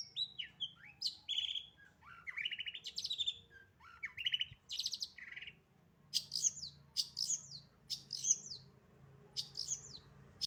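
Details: Long-tailed shrike delivering a varied, rapid song of buzzy slurs, quick chatters and short trills, ending in sharp, high, scratchy bursts repeated about every second.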